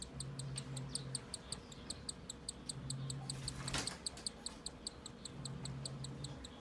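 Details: A newly hatched Cockatiel chick gives fast, rhythmic, high-pitched begging pulses while being fed by its first-time mother, 2 December 2020, over a low mechanical hum.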